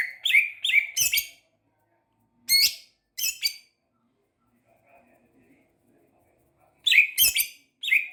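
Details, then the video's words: Champion greater green leafbird singing: loud bursts of slurred, downward-sliding notes with a rasping edge, grouped in quick runs of three or four, separated by a silent gap of several seconds. "Burung cucak ijo juara"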